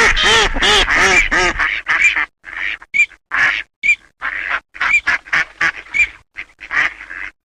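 Eurasian teal: a quick burst of nasal, harmonic quacks, then a rapid run of short calls with high, clear piping whistles, about two each second.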